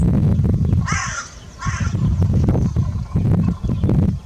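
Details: Crow calling twice, two rough, grating caws about a second apart, over a constant low rumbling wind noise.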